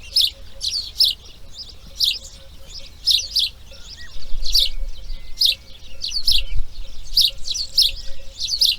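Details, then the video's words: In the nest on the second breeding day, grey heron chicks utter grating, husky notes in loose pairs, with a low rumbling disturbance midway through. "RELAX SONIDOS IMAGENES NATURALEZA | Garza real (Ardea Cinerea) Crianza Dia 2| Grey Heron Breeding"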